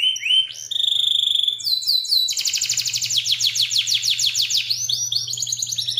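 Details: Indonesian local canary singing a long, varied song meant for tutoring songbirds: a steady whistled note, then a long fast rolling trill of repeated notes, ending in quick rising slurs; low hum behind.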